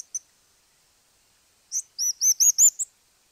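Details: Crowned Slaty Flycatcher in Argentina: a single sharp high chip, then after a pause a quick run of five thin, high, arched whistled notes that rise slightly in pitch, in a quiet setting.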